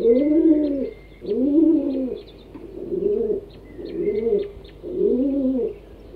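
A domestic pigeon gives five low, rolling coos, each about a second long and closely repeated, with faint chirps from small birds behind.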